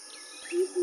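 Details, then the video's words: A Greater Coucal (Centropus sinensis) about 15 m away gives two deep, hollow hoots in quick succession, over a steady high insect hum. "Greater Coucal (Centropus sinensis)"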